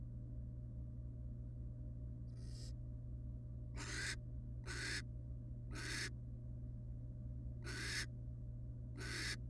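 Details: Barn owls, a wild family resting together inside a nest box, give six rasping hiss-like calls, the first faint, the rest loud and spaced about one second apart, with a constant low hum beneath.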